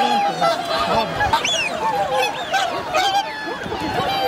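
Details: Wintering swans on Hyoko, a man-made Ramsar wetland lake in Agano City, Niigata, Japan, on 8 January 2022, with 2628 swans counted; many overlapping nasal honks and bugling calls, some rising and falling, form a dense, continuous chorus.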